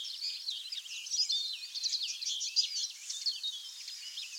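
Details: Common linnet in UK woodland, south-west England, giving a brisk jumble of chirps, buzzy trills and thin whistles packed closely together, a lively unbroken twittering stream.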